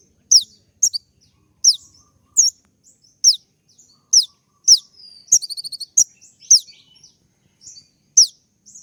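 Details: Kolibri ninja sunbird singing a full, varied song used to provoke rivals: a string of sharp, high downslurred notes spaced under a second apart, with one fast burst of repeated ticking notes midway.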